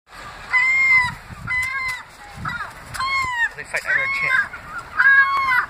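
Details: Gulls in St Ives, squabbling while being fed: loud harsh honking cries with rising-falling harmonic bands, several overlapping birds calling in bursts, with a voice in the background.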